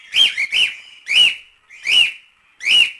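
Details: Natural cockatiel song used for training chicks: clear whistled notes, each rising then dipping, repeated about every half to three-quarters of a second, five or six in a row over a quiet background.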